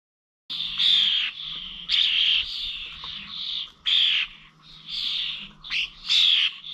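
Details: Starlings recorded 21 November at bird feeders in old Corby village: after a brief silence, loud grating, hissing calls start in clustered bursts with brief pauses, a faint low hum underneath.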